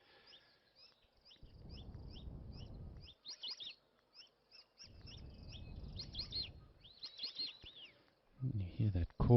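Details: A flock of white-faced whistling ducks in Africa, a species that often calls all at once on taking off, gives clear, high, downslurred whistles, repeated quickly and overlapping. Low rumbling wind and a man talking break in twice.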